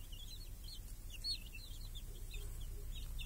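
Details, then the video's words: Chicks and hens in a village on a clear summer day, grazing under a protective cage that guards the young from crows and hawks. Short, fairly faint high peeps come in loose runs over a steady low rumble. "Chickens and hen in the village | Sounds with chicks on a clear summer day"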